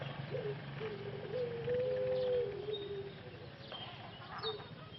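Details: Male Pelung dove in a cage in Solo, Indonesia, isolated with medicine and vitamins after losing its voice in the breeding pen; a long smooth coo held over a second with shorter notes before it and faint chirps after.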